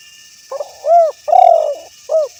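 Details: Spotted dove calling to a rival, recorded for luring other doves into answering: loud, low hooting coos in a quick phrase, a short stuttered note, two drawn-out arched coos, then a final clipped coo, over a quiet background.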